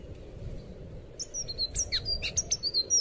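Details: Blue thrush song used to train captive birds: after a second of near quiet, a quick series of high slurred whistles and clipped chirps begins and builds in loudness, with low steady hum beneath.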